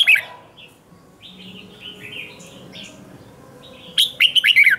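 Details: Red-whiskered bulbul morning song in a training session, with short warbled notes at first, then quieter scattered phrases, ending in a loud burst of rapid, sharp, rising and falling notes.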